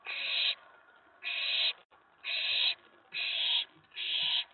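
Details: Nest-box owlet, night of 19 May 2017, stirred up by an owl arriving at the tray after a mouse was delivered; five loud, raspy hissing screeches, each about half a second, at roughly one-second intervals.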